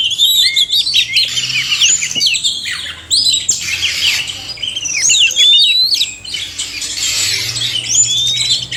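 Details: Oriental magpie-robin male and female calling and singing: bursts of harsh scratchy squawks mixed with whistled slides and twitters, coming in separate loud bursts with short pauses.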